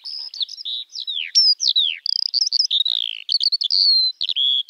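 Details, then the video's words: Unbroken high song of a Eurasian skylark (Alauda arvensis): quick downward-slurred whistles, short rolling trills and sharp chirps tumbling one after another without pause. No background noise. "Kiurun / Leivon laulua | Skylark Singing"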